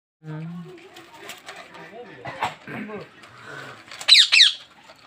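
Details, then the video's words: A pet talking parrot makes speech-like chatter, then two loud, harsh, high squawks near the end, with a human voice faintly heard. "Sound of parrot|| Natural sound|| পোষা তোতা পাখি"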